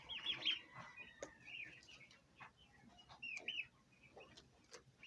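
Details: Bronze turkey poults peep continuously: many high, thin notes that arch down, overlapping in quick succession, with a few soft clicks.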